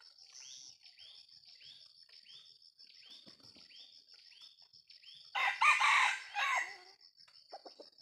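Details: Jalak junglefowl crow. A rasping, noisy call of roughly a second and a half rises out of a background of evenly spaced, high curved chirps and a constant shrill insect hum. A few faint clicks follow it.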